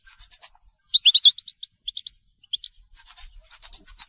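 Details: Goldfinch song of the telqam type: quick clusters of sharp, high tinkling notes alternating with clear rising whistled chirps, delivered in short phrases separated by half-second gaps.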